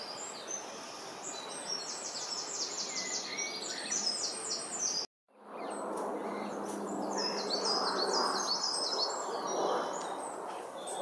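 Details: Great tits feeding close up, breaking up food with their beaks; rapid series of high, thin chirps in quick clusters, pausing briefly midway, then resuming, over steady broadband background noise.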